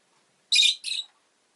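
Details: Shrill double chirp from a pet rosy-faced lovebird: a loud harsh note followed at once by a slightly softer second one, in silence otherwise.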